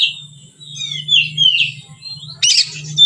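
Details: White-rumped shama singing in a relaxed, easy manner, used as a training lure for other birds: high whistled phrases and a brief harsh burst near the end, over a steady low hum.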